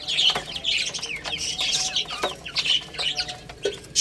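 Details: Chirping little chicks while playing and eating: dense high peeps, each a quick falling note, crowding together in bursts with brief pauses and a few faint knocks.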